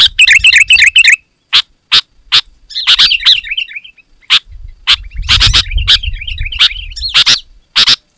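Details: Sooty-headed bulbul song meant to lure wild birds: an opening flurry of bright chirps, isolated sharp clicks, then loose warbled phrases with low background rumble in the second half.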